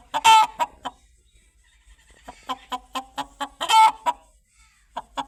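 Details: Chicken clucking: short sharp clucks in quick runs, broken by two loud drawn-out squawks with a bright ringing tone, then more spaced clucks after a brief lull.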